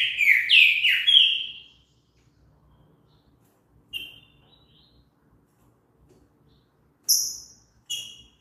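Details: Green-winged saltator song: three loud, slurred whistled notes that sweep downward in quick succession. After a long pause come a few short, high, clipped notes.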